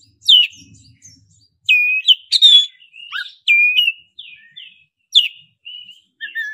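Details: Oriental magpie-robin, black-breasted form, in roll nembak song meant to draw a kept bird into singing quickly. Loud ringing whistles, flat sustained notes and scratchy bursts alternate in rapid phrases.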